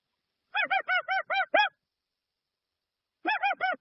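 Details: Dusky-legged guan's original call, free of sound effects: a quick string of six harsh, goose-like honks, then silence, then a second string beginning. Nothing else is audible.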